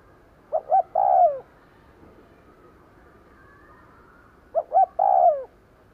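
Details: Two cooing phrases from a decoy spotted dove used to lure wild birds, about four seconds apart: two clipped hoots, then a sustained coo falling away, with light hiss between.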